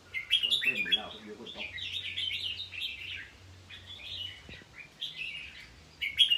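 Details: A red-whiskered bulbul, a Thai cage bird, delivers a run of lively whistled phrases, a lower wavering sound briefly joining at the start, followed by several steady, chirpy phrases and a loud final flourish.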